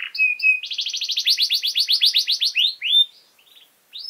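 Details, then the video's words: Canary master song for training young birds: two clear whistled notes, then a fast even trill of buzzy syllables lasting about two seconds, a single loud whistle, quiet twitter and a rising note. "Canary Singing!Masteran Kenari Gacor Durasi Panjang"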